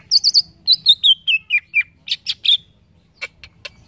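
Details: A green leafbird sings a quick cascade of whistled notes stepping downward in pitch, followed by a few buzzy chirps and scattered clicks, clear and close in a quiet setting.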